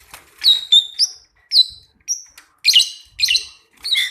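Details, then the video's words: Pair of pied mynas giving repeated sharp, bright whistled notes and short chirps roughly every half second, some notes harsh and buzzy, with brief quiet gaps between them. "Kicau an dua ekor burung jalak suren Gacorr Dor"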